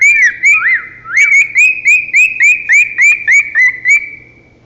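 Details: Male cockatiel, a pet that sings and dances in his food bowl: a quick run of bright, looping whistled notes, several each second.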